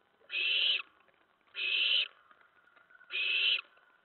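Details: Owlet in a nest around 2 AM on 10 September 2017, during deliveries of a rat and mice; three broad, breathy hisses, each about half a second, roughly 1.5 seconds apart.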